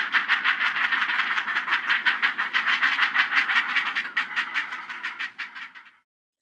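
Great Blue Heron nestlings clatter in a fast, steady run of dry, wooden clacks for about six seconds, then stop abruptly.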